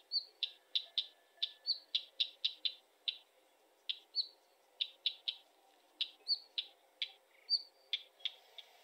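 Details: Northern wheatear: a rapid series of hard, clicking tack notes, roughly two per second, mixed with several short, high whistled notes over a faint low background hiss.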